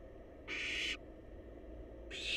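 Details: Barn owl chicks, wild and nesting in a monitored box, snuggle up awaiting a meal; one long rasping hiss of about half a second, then another begins near the end, over low steady hum.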